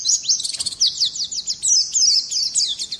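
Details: Oriental white-eye in a short burst of dense, very high, quick twittering with slurred chirps throughout.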